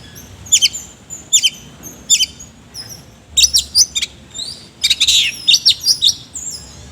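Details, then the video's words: Oriental magpie-robin in energetic ngobra singing with coarse fill phrases: three evenly spaced high double whistles, then a denser run of sharp, slurred, squeaky notes and a brief rough chatter. "BURUNG KACER GACOR NGOBRA ISIAN KASAR"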